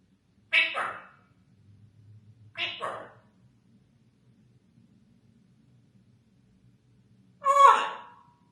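An African grey parrot utters three short, speech-like phrases with long quiet gaps; the last is the loudest and lowest, over a faint background hum.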